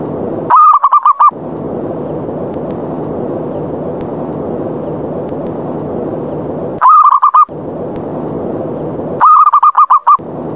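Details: Zebra dove 'ngerot' lure call meant to provoke rivals into fighting and bring them down: three separate phrases of six or seven rapid, rolling coo notes, long pauses filled with constant background hiss.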